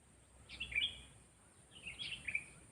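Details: Two quick, chattering whistled phrases from a Sooty-headed bulbul trained for luring wild birds, each a tight tumble of sharp rising and falling notes, over faint background hiss.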